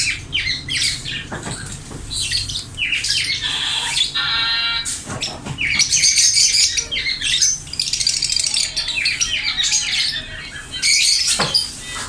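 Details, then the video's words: Green rose-ringed parakeet in natural voice, chattering steadily: rapid high-pitched chirps and twittering strings, a short buzzy harmonic phrase midway, and loud clustered squeaks toward the end. "green parrot talking ||parrot natural voice"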